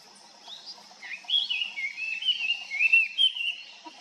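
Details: Long-tailed rosefinch among winter arrivals: a clear, close run of wavering whistled notes, rising and falling in a continuous warble for about three seconds, with a quiet background.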